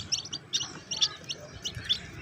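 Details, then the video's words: Fancy bantam chicks chirp in high, thin peeps, several overlapping bursts about every half second, over a low background hum. "Big sound of hen kids"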